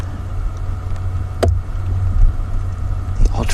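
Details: Low engine rumble of a moving vehicle with a few brief knocks and clicks, and no animal calls.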